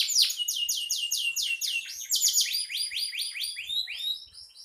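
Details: Canary singing vigorously, as tutor song for songbirds: loud high downward-sweeping notes in rapid series, shifting into quicker rolling trills and rising chirps that fade slightly at the end.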